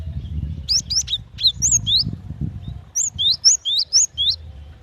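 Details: Female cinereous tit calling the male, used as a lure to draw other birds into calling: high, sharp whistled chirps, many sliding downward, in two quick bursts of about six and seven notes over a low background rumble.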